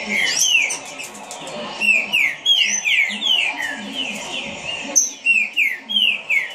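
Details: A kept green-winged saltator sings fast, a steady run of loud downward-slurred whistles with brief gaps, while sharp high chirps from other birds and a low hum continue behind it.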